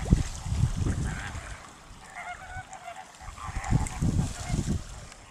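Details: Greater flamingo calling in a run of hoarse, goose-like honks, several short harmonic notes overlapping mid-clip against steady low rumble, suggesting more than one bird gabbling.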